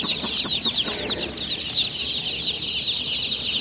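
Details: Freshly hatched chicks peeping at night in a loud, unbroken chorus of shrill, rapid chirps from many birds, with some soft low tapping sounds in the first second.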